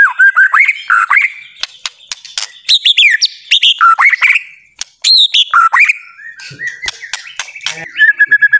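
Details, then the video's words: Murai batu, the white-rumped shama, sings to provoke a quiet bird: a varied mix of rising and falling whistles and sharp clicks, given in bursts with short pauses, ending in a steady high whistle. "murai batu macet bunyi ikut terpancing emosi langsung gacor"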